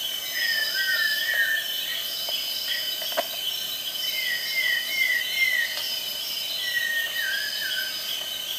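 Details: Rufous-tailed shama, a rare and very shy bird in Malaysia, singing clear, slurred whistled phrases in three short bursts of several sweet notes each, over a steady high drone of insects.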